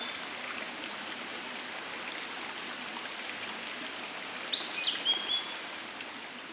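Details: Blue-and-white flycatcher singing in a dark forest in early morning: a single short whistled phrase, high with a few stepped notes, heard over constant stream noise.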